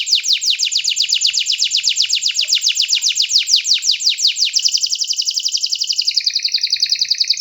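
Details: Canary singing a long rolling trill of quick down-slurred notes repeated at a steady pace, gradually lowering slightly and ending in a smoother, buzzier held phrase.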